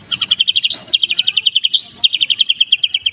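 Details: White-rumped shama of the Medan type giving dense 'kretekan' chatter in the morning, meant as a model for other birds: two long runs of fast, even, high staccato notes broken by brief upward sweeps.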